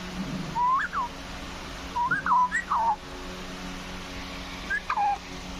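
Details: Green parrot making repeated whistled notes that rise and fall in small swoops, in three or four bursts over several seconds, with a low electrical hum behind.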